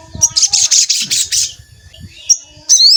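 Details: Javan kingfisher calling on a lure recording used to excite and provoke wild birds: a high, harsh rattled series lasting over a second, a brief pause, then a sharp rising squeal.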